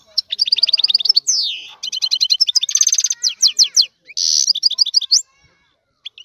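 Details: Male European goldfinch in excited song meant to arouse a female for mating, delivering fast tinkling trills, a sweeping downward slur and dense buzzy rattles in quick succession.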